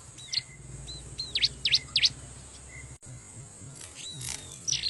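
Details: Bar-winged prinia calling by a river, played as a lure for wild birds: a quick burst of four sharp, high V-shaped chips, soft whistles around it, then quieter with hissing background.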